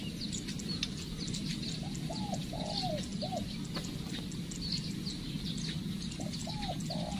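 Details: Spotted dove kept as a decoy bird and being trained, first lesson: two groups of three soft hollow coos, one early and one near the end, partly masked by loud steady outdoor noise and scattered high chirps.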